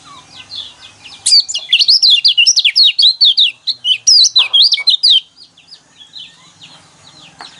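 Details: Loud, close yellow white-eye song meant to stir caged birds to sing: a sustained four-second stream of sharp, high zigzagging notes, fast and continuous, with faint chirping before and after.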